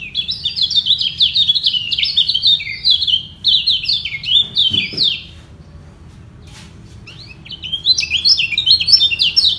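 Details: Rival yellow white-eyes in a song battle below, defending a place at the top, equally strong and unyielding: fast, high, jumbled chattering phrases, a quiet gap midway, then renewed twittering over a faint low rumble.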